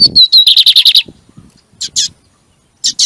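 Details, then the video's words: Lined Seedeater singing, recorded to excite a kept bird: a quick series of high, sharply repeated buzzy notes lasting about a second, then pauses broken by paired short chips. "CANTO DE BIGODINHO PRA FOGUEAR O SEU NO MANEJO"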